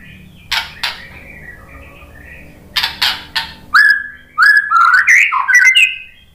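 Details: White-rumped shama (murai batu) song for provoking other birds to sing: soft scratchy notes and brief clicks at first, then loud fluid whistled phrases rising and falling in quick succession.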